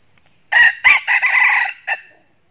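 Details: A wild red junglefowl crows in northern Vietnam: two short clipped notes, then a hoarse, drawn-out phrase and a brief final note, in a crowing contest near a decoy trap. A steady high insect whine runs underneath.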